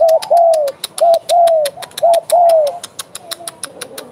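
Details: Spotted dove, a vigorous singer (derkuku gacor), giving bekur coos: three pairs of a brief hooked note followed by a drawn-out descending coo, over steady fast ticking clicks throughout.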